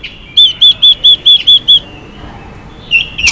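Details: Chinese hwamei female in xùy style, used to stir males to sing, producing seven evenly spaced, ringing, arched whistles at a quick steady pace, then a pause before brief rising notes return.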